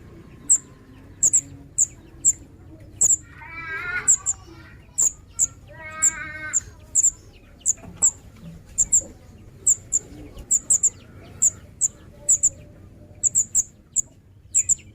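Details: Juvenile Scarlet minivet giving very high, thin, sharp chirps, singly or in quick pairs, repeated every half second or so. Two brief lower buzzy bursts come at about four and six seconds over a faint low hum.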